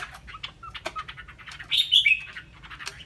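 A Chinese hwamei sings a quick run of varied chirps and short whistles, building to a loud, ringing, higher burst of notes midway through.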